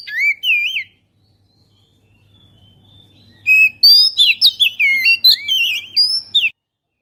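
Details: Oriental magpie-robin singing as a lure to draw birds in, recorded on a GoPro Hero: one warbled whistle phrase, a quiet stretch with low hum, then an energetic string of varied, looping whistles and chirps.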